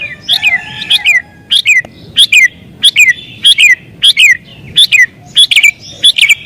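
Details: Sooty-headed bulbul in excited, aggressive song used as a lure for wild birds: rapid paired chirps with falling slurs, steadily repeated nearly twice a second, clear and loud.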